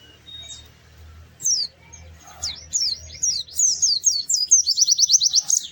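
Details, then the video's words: Pleci (white-eye) song used as a lure for reluctant birds: a quiet start with scattered high notes and a low hum, building into a loud, fast run of high chirped notes toward the end. "Kicau Burung PLECI GACOR MERDU"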